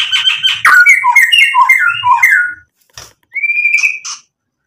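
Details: Vigorous white-rumped shama song full of mimicked phrases, meant to anger rival birds into answering: fast chattering, squawky notes, then a run of short whistled slurs, a brief pause, and one drawn-out rising whistle.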